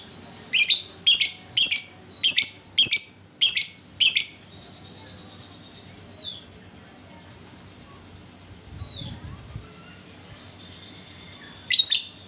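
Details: Caged-style lure of a lovebird singing to prompt other lovebirds: seven rapid, shrill, buzzy chatter bursts roughly every half second, then a long quiet stretch with soft whistles, and a final burst at the end.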